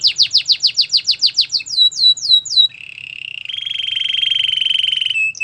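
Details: Canary training song: a rapid rhythmic series of downslurred whistles about three per second, a few slower swept notes, then a long, even, rising buzzy trill.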